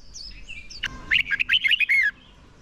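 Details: Decoy red-whiskered bulbul in fighting song, used to provoke other birds and coach contest singing; a brief knock, then one warbled phrase of about eight quick looping whistles lasting about a second.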